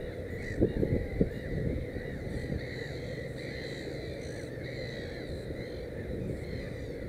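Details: Black-headed gull at its nest with three chicks: faint, short arching calls repeated in quick irregular series, partly masked by steady low rumbling noise.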